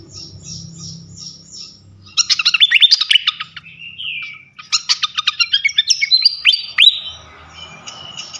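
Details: Lure song of a flycatcher meant to stir other flycatchers: a row of repeated high downslurred notes, then loud rapid chirp bursts, a short sliding whistle, and another fast chattering phrase ending in rising whistles.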